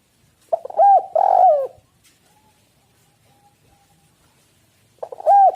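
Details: Spotted dove cooing, used as a lure to get other doves calling: two loud, mellow, rounded coo notes, the second longer and burred, then a pause and a third coo starting near the end.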